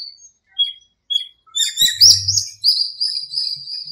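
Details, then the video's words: Several birds at dawn in a small park during breeding season and the rainy season: short whistled notes, then an overlapping burst of chirps and a long high trilling phrase, with a brief low hum. "공원의 새소리 - 새벽에 잠이 깨서 듣게 되었네요."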